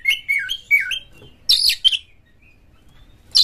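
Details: Oriental magpie-robin song used to stimulate other magpie-robins to sing: clear whistled slurred notes, then a burst of harsh high buzzy phrases, with pauses between.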